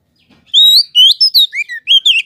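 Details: Kacer (Oriental magpie-robin) singing as a lure for other magpie-robins: a rapid string of pure whistles, mixing long level notes, rising slurs and falling glides, all loud and clear.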